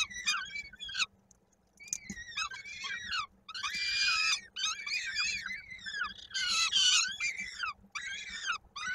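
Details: Peregrine falcon chick at a Koszalin nest, recorded 16 May 2022 during a feeding when its foot got stuck in the beak; rapid, rasping screeches and slurred squeals, one brief pause, then dense noisy bursts.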